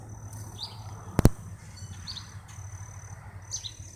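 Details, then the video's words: A red-eyed vireo singing at Hooks Woods, Galveston County, giving short, slurred, faint phrases with pauses of about a second and a half, over a thin steady high tone, low rumble and one sharp knock. "Red-eyed Vireo singing"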